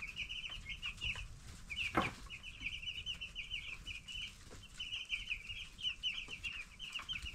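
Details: Flock of 10-day-old broiler chicks chirping steadily in dense runs of high, thin peeps, briefly broken by a sharp knock, over a low hum.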